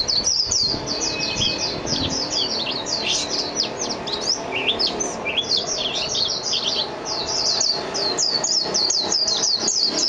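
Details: Mejiro song in a continuous, busy stream of high, jumbled twittering notes, some sliding up or down, carrying on without a break for about ten seconds.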